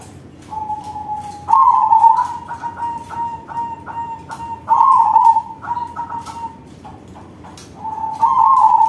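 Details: Crossbred zebra dove singing loudly, a flat soft note leading into extended wavering coos, several connected phrases with a steady level tone between louder trilled bursts, background clicking.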